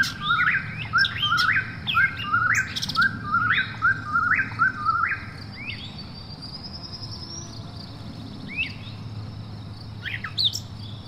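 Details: Nighttime Eastern whip-poor-will gives about seven quick rising whistled phrases in a steady run, then falls silent. Afterwards only a high insect drone, a low rumble and a few faint upslurred chirps remain.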